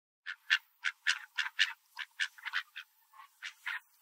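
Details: A large park duck with dark feathers and a white chest, among hungry mallards fighting over birdseed, gives a rapid run of harsh, raspy quacks, three or four a second, uneven in spacing and loudness.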